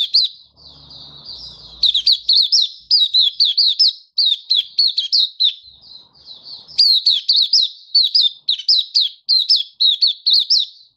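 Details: Malaysian white-eye in full song, Singapore, warm sunny weather, 20 March 2023; bright high twittering phrases of quick down-slurred and up-slurred notes, delivered in dense bursts separated by brief pauses, with a quieter warbled passage midway.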